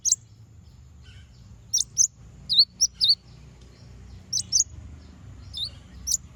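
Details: Konin bird song used to provoke rival birds into singing: short, high, sharp chirps in pairs and small clusters, some falling in pitch, spaced irregularly over several seconds against a quiet background.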